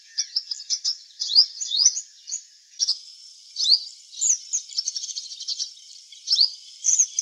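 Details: High, thin twittering song of a purple sunbird in eclipse plumage in a garden, with quick upslurred and downslurred squeaky notes delivered in irregular bursts.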